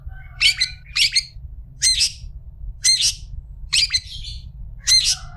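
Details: Long-tailed shrike tutor recording for teaching other shrikes: six loud, harsh, grating squawks spaced about a second apart, some doubled, with a few thin whistled tails in a quiet setting.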